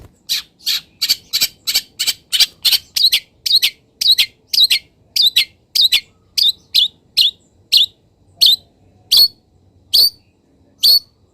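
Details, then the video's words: Long-tailed shrike kept in a cage, singing in morning sun after being misted; a fast run of sharp high chips that gradually slows, about twenty notes spaced wider toward the end. "BURUNG CENDET SANGAT BAHAGIA KETIKA DI EMBUNKAN DAN KENA MATAHARI PAGI - CENDET GACOR FULL ISIAN"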